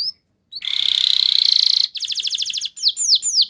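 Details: Canary lure song for training, a long buzzy rolling note followed by a quick trill and several downward-sweeping whistles.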